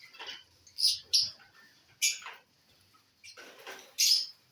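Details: Lovebirds eating corn on the cob, dated 18 December 2022; sharp, shrill high chirps and squeaks come in short bursts about once a second, with quiet gaps and soft rustling between them.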